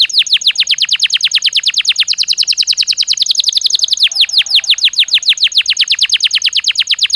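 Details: Belgian canary singing naturally, offered as daily training stimulus: a continuous rapid roll of sharp rising whistled notes, about three per second blurring into a fast rattling trill, loud throughout.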